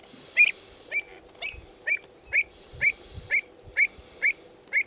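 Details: Pied avocets drive a young avocet out of their territory, with a parent coming to its aid, giving clear, fluty 'kluut' notes about two per second, sharp and evenly pitched, with faint background noise.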